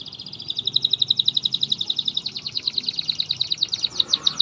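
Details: Atlantic canary song used as a lure to coax a quiet canary into singing: a rapid, even trill of sharp high notes, about eight per second, running continuously and growing slightly louder toward the end.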